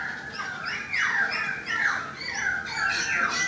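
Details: A currawong heard from a balcony gives a run of loud, slightly harsh notes, each sliding downward, repeated about twice a second with a faint background hiss.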